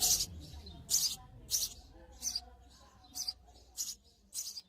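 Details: Spanish house sparrow, a hole nester, uttering a string of short, high, sharp chirps, roughly one each second, some loud and some fainter, against a soft low rumble.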